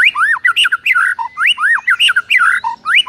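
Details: White-rumped shama masteran recorded in the morning to make rival birds respond: loud, clear whistled phrases swooping up and down, repeated about every second with sharp accents.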